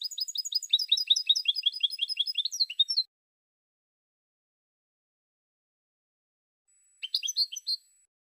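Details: Song of a European goldfinch, recorded in 2016: a three-second run of fast, bright twittering notes ending in a downward slur, then a brief phrase after several seconds of quiet.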